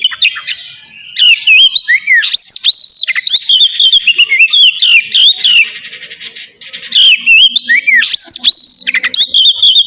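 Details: Kacer, the oriental magpie-robin, in relaxed ngeplong singing used to stir quiet birds: rapid run of bright whistled notes, swooping up and down and broken by short harsh chatter, nearly continuous throughout.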